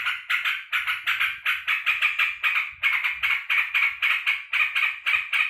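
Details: Sooty-headed bulbul kept at home, cheerfully greeting its returning keeper after work: loud rasping chatter notes in quick runs, with faint low background sounds beneath.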